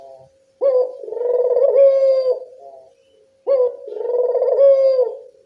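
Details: Two full cooing calls from a local Barbary dove, meant to draw replies from doves: each begins with a quick rise, pulses briefly, then holds a smooth low tone before a short quiet gap.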